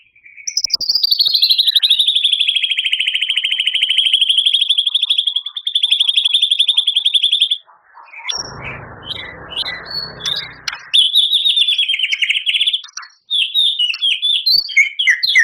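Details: White-rumped shama in long 'gacor' song packed with 'isian' imitations. Sustained, fast-pulsed high trills run for several seconds, broken by a noisy pause, then resume with further pulsed phrases and quick twittering notes.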